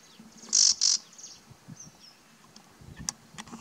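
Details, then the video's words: Bay-backed shrike giving its usual call, then mimicking what seems to be a warbler; two loud, harsh, high notes in quick succession are followed by scattered faint, thin high notes and clicks. "Bay-backed shrike Mimicing other bird"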